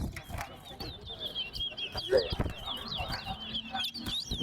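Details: A chestnut-bellied seed finch (towa towa) sings a fast run of bright chirps and twitters, steady throughout, during a bird-singing competition, over crowd chatter, counting and background noise.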